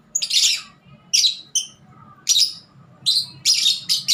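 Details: Kept lovebird calling in bursts of harsh, high chattering squeaks broken by short sharp chirps, with pauses between; a steady low hum runs underneath.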